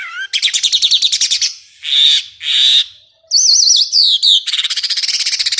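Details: Contest-bird master recording of a varied songbird: rapid chattering notes, two harsh buzzy bursts, wavering whistled trills, then a fast, even rattle of high notes.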